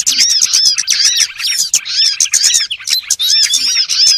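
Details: Trapping lure of small birds: rapid, overlapping squeaky chips and downslurred whistles in short dense bursts, with tiny gaps between clusters of calls.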